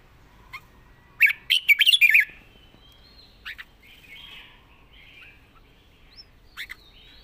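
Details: A caged red-whiskered bulbul sings a full second of quick, liquid whistled notes in a tumbling phrase, followed by scattered single chirps and soft calls spread over the following seconds.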